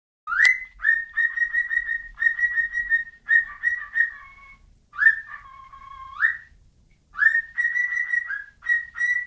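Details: Whistling bird giving clear, pure, mid-pitched whistles, mostly held on one steady note in short phrases, with a few notes that dip lower and slide, separated by brief pauses in a quiet room.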